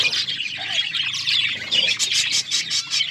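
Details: Australian parrots, budgerigars, eating corn; rapid high chirps and squawky notes from several birds, pulsing quickly toward the end.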